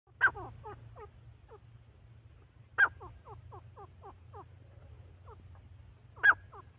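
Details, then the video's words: An Irani partridge (teetar) gives a loud, sharp note about every three seconds, each followed by a fading run of quick, hoarse, clucking notes, over a low steady hum. "Irani teetar ki awaz"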